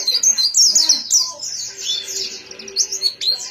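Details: White-eye pouring out a continuous, high warbling twitter, notes running together into a shimmering stream with a few sharper chirps at the end.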